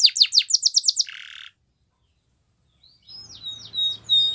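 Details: Canary training song: about eight quick descending sweeping notes in the first second, then a brief buzzy lower burst and a thin, high, sustained tone, ending in loud whistled slurred phrases.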